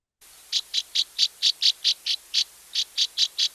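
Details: A Northern Rough-winged Swallow gives its soft, slightly rising liquid chirp call: a quick run of about fourteen short, rough, mid-high chirps, roughly four a second, over a faint steady hiss.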